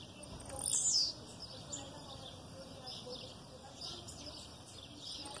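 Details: Blue-black grassquit, aggressive song with female calls in the background: a single brief, high, falling note near the start, then mostly quiet hiss.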